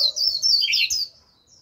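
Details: Japanese white-eye used as a decoy to lure a wild flock: a rapid, high-pitched, jumbled twittering warble lasting about one second, then near quiet.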